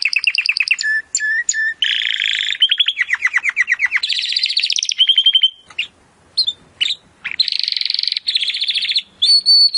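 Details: Timbrado canary song meant as training audio for improving canaries' singing: varied rolling trills, buzzy tours and repeated chips, a short near-quiet gap with scattered notes, then renewed dense trilling and a high whistle.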